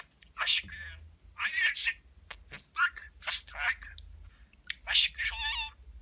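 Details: Talking pet budgerigar imitating human speech indoors: a run of high, breathy, word-like chattered syllables in quick bursts, ending in a nasal harmonic squeak.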